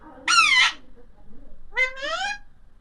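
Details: Two loud, raspy screeches from an Alexandrine parakeet, each about half a second long and sharply rising, the second after a pause of a second, over soft background murmur and low rumble.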